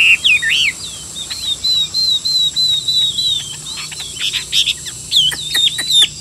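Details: A captive Chinese hwamei, a sale bird praised for singing well, gives a varied run of whistled notes: a sweeping opening slur, a thin high held tone, then scattered sharp chips and quick slurs.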